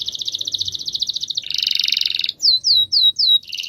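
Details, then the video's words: Canary singing its rolling song for master training: an even, fast trill turning into a louder buzzy roll, then four down-slurred whistled notes and a final trill. "MASTERAN KENARI NGEROL DURASI PANJANG"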